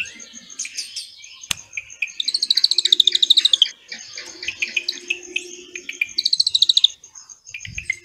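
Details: Drongo song filled with cililin-style phrases, played as master material for training magpie-robins: bright high chirps and slurred notes, then rapid buzzy trills repeated in bursts of about a second, with a sharp click near the start.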